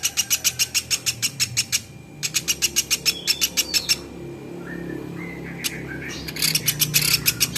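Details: Velvet-fronted nuthatch recorded as training material for other cage birds: rapid, evenly spaced high chips in two runs, then a quieter stretch with soft low background noise and brief whistles before more ticking.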